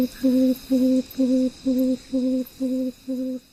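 Tawny Frogmouth giving a low, steady 'oom' note repeated about twice a second, seven evenly spaced hums in a row.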